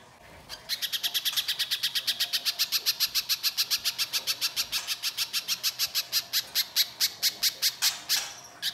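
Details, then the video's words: Energetic, rough-toned little spiderhunter song played as a lure for other spiderhunters: after a quiet start, a long, fast, evenly paced series of sharp, high notes, ending with a few louder chips. "Pancingan Pijantung Pisang Gacor Mbeset Kasar, Pijantung Bahan Langsung Nyaut Bunyi"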